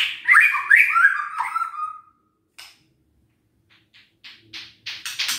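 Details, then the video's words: White-rumped shama song meant to stir lazy shamas into singing: two seconds of loud, rich, slurred whistled phrases, then silence broken by a few short, thin, scattered notes. "PANCINGAN EMOSI MURAI BATU LOYO DAN MALES BUNYI"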